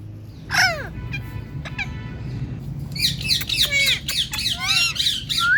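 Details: Talking Indian ringneck parakeet: one loud harsh squawk, a few short clicks, then a fast run of squeaky, chattering notes and rising whistled phrases toward the end.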